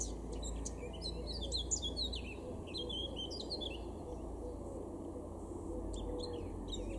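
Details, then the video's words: Spring song of a male blackcap in a Weener garden, northwest Germany, April 2022: two bursts of quick warbling notes in the first four seconds, then a few thinner high notes, with a deep steady rumble throughout. "blackcap (male)"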